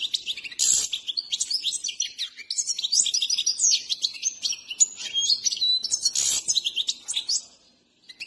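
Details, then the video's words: Himalayan goldfinch under training sings a long, tumbling twitter of high chips, trills and slurred notes with two brief noisy bursts, fading to silence at the end. "Saira singing#goldfinch"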